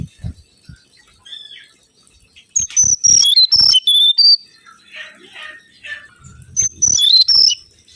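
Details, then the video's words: Mangrove whistler lure song. Clear high whistled notes drop in steps across about two seconds, softer chirps follow, and the falling whistle run repeats near the end. "PANCINGAN SUWARA💯‼️ BURUNG KANCILAN BAKAU"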